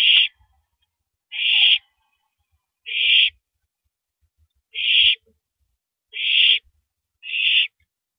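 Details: Owl feeding on a large rabbit under a live camera, 3:33 AM, April 9, 2012; six raspy, noisy screech-hisses, roughly one every one to one and a half seconds, over quiet background knocks.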